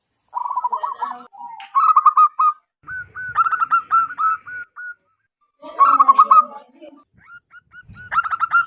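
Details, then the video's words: Wild local zebra dove, known as perkutut lokal, calling loudly and strongly, used as a lure to attract wild zebra doves; rapid trilled cooing phrases of pulsed notes, given in about five bursts separated by short pauses, with faint low rumbling. "PERKUTUT LOKAL ALAM GACOR SUARA BESAR DAN LANTANG COCOK BUAT PIKAT BURUNG PERKUTUT"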